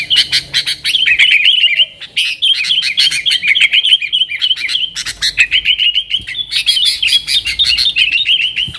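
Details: Yellow-vented bulbul delivering a long 'nggaruda' style song meant to lure wild sooty-headed bulbuls: fast, gurgling chatter of bright warbled notes, pausing briefly near two and five seconds before resuming.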